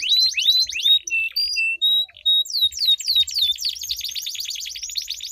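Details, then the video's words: Canary song duel with long rolls, used to coax silent canaries into song: clear whistled slurred notes and short pauses, then a rapid repeated trill of falling notes with a buzzy roll. "Duel Burung Kenari Suara Merdu Ngerol Panjang || Pancingan Ampuh Kenari Macet Gacor Ngerol Panjang"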